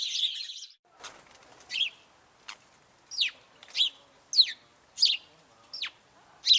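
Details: House sparrow singing, a clear close series of bright, high chirps, each sliding sharply downward, given roughly every half second against a silent background.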